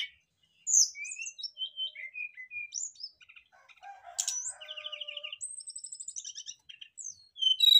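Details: Brown-chested jungle flycatchers singing back and forth in a lure recording: a varied run of sharp high whistles, trills and buzzy, rapidly repeated notes, with long flat whistles near the end.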